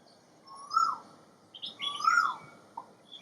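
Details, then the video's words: Asian koel (Eudynamys scolopaceus), in a residential neighbourhood, gives two loud, rising, whistled 'ko-el' notes about a second and a half apart, with thinner, higher chirps from other birds between. "噪鵑鳴叫, Sound of Common Koel"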